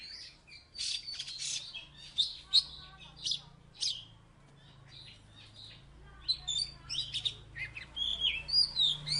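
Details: Oriental magpie-robin from Salatiga, a former third-place contest bird, singing vigorously: bursts of high whistled and chattering notes separated by short pauses, over a steady low hum.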